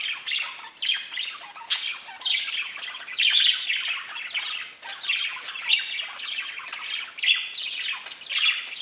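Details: Pet budgies chattering nonstop: rapid warbled phrases, harsh squawks and bright chirps, pulsing in loud bursts about once a second from more than one bird.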